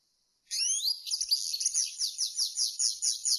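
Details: European serin in the field-style campero song. It opens with a thin rising squeak, then a rapid run of shrill buzzy notes repeated steadily like a high sizzling rattle.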